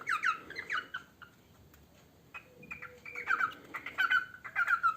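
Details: Pet parrot singing as it eats, giving scattered squeaky, whistled chirps and short warbling phrases separated by a quiet gap, with faint background hiss.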